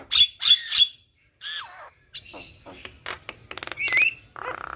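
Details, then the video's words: Male and female black-winged starlings singing in duet: harsh squawks and ringing whistled notes, a falling slurred whistle, then rapid buzzy clicks and a rising whistle, with short pauses between phrases. "Jalak Kebo Jantan Dan Jalak Kebo Betina GAcor Duet Kicauan Jalak Kebo"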